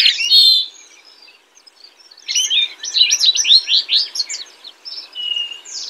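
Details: Bubbly House wren song: a bright opening note, a short pause, then a tumbling run of rapid, descending chattering notes ending in a sweet whistled tone.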